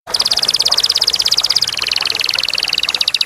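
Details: Canary song described as clear-voiced, a fast rattling trill of rapid notes near the top of its range, repeated about three times a second, shifting to a slightly lower trill halfway through.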